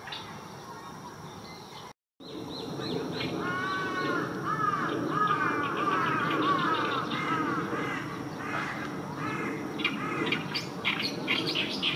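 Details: Oriental reed warbler recorded on the morning of 9 June 2023, with no added music. It sings a loud, harsh chattering run of arched, grating notes at about four per second. A steady background hiss runs throughout, and the recording drops out briefly near the start.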